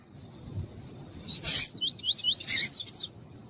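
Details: Warming-up recording of a male double-collared seedeater of the tuí-tuí song style with a female calling, a bird kept for tournaments: two loud broadband clicks, then a rapid chain of about seven looping, slurred whistled notes.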